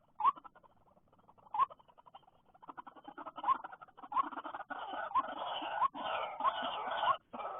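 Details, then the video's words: White-breasted waterhen after rain, filmed while being trapped: short upward-flicking mid-pitched notes repeated about every second, with a dense rustling, crackling background swelling from midway. "jerat burung ruak ruak sehabis hujan"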